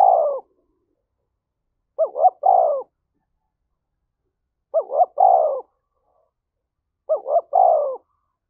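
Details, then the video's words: Fight-provoking coo of a spotted dove. Four clean phrases, each a pair of quick rising notes and a sustained falling note, are evenly spaced about 2.5 seconds apart in silence. "tiếng chim cu gáy thúc đấu"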